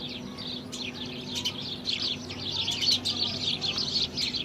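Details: House sparrows in India: dense, overlapping chirps, short and bright, tumbling over each other in a continuous chatter. A steady low hum runs beneath.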